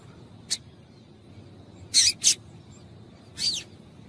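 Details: Female Double-collared seedeater (coleiro) calling to excite the male into singing: three short, sharp, very high chips spaced over four seconds, the middle one doubled, against a quiet background.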